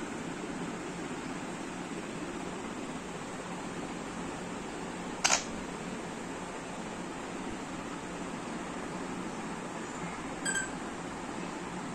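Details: A steady fan-like hiss runs throughout, broken by two brief camera-shutter clicks about five seconds apart.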